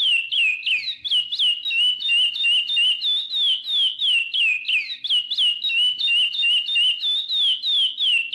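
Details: Chestnut-bellied seed finch (curió) singing the 'praia' song style: a steady run of clear, high whistled notes, about three a second, each sliding up or down, with no other sounds.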